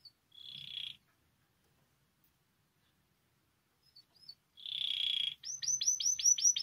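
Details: Canary singing to stimulate canaries' song: two short buzzy trills separated by silence, then the start of a series of quick looping whistled notes.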